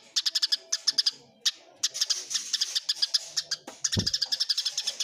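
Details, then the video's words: Clear recording of Eurasian tree sparrows in a fight: strings of piercing, high chirps in quick clusters separated by short breaks, with one low thud near the end. "suara greja tarung jernih"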